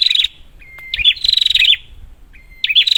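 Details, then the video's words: Prinia lure call meant to make quiet prinias start calling: a harsh buzzing rattle, then a flat thin whistle leading into another buzzy, twanging burst. "Prenjak, Pancingan ampuh untuk burung prenjak macet"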